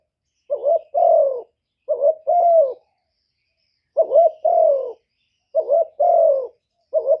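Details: Spotted dove, a decoy bird, cooing in the gáy gù style used to stimulate other doves. Four low two-part phrases: a short wavering note, then a longer falling coo. Irregular pauses between phrases, no other sounds.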